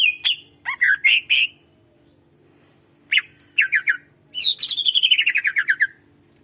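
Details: Greater green leafbird in full chatty song, used to prompt birds that rarely sing: short bright chirps and slurred whistles in quick bursts, a pause, then a long run of rapid notes sliding steadily downward.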